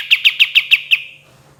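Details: Lively kapas tembak singing: six loud, clipped, high notes in quick even succession, each sharply struck, then fading to near silence over a faint steady hum.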